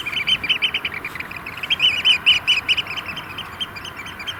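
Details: Eurasian oystercatchers displaying in courtship in the rain at a Vriezenveen sandpit, around 5 °C with hail showers. Quick, shrill piping notes rise to a louder stretch in the middle and then fade off.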